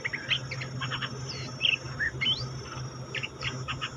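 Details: Cream-vented bulbul in song, a caged captive bird: short whistled, slurred notes at varied pitch, some rising, in a loose broken phrase, over steady low hum and faint chirps.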